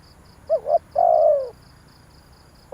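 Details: Single lure phrase from a spotted dove for attracting wild doves: a quick wavering double note, then a long, low, slightly descending coo, with a rapid, high pulsed chirping behind.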